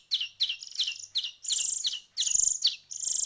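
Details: Hand-fed finch nestlings beg with sharp, descending chirps, first spaced and then merging into longer, buzzy, insistent notes, over a faint low hum.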